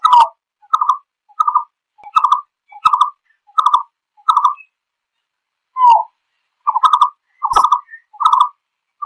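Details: Green-billed malkoha calling its flock, giving a fast series of short, gruff, clucking notes, roughly two per second, with one brief pause and a slurred falling note midway; the background is otherwise silent.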